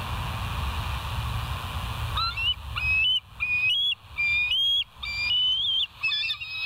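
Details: Bald eagle at the West End nest, recorded by a live nature cam on 17 September 2023 at 22:51; a series of high, thin whistled chirps with short rising and falling notes in quick uneven succession, over a low steady hum.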